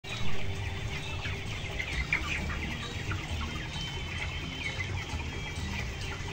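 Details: Chorus of 22-day-old broiler chickens weighing about 1190 grams, on the upper floor of a closed house holding 12,000 birds: many overlapping high, short peeping chirps over a steady low rumble of machinery.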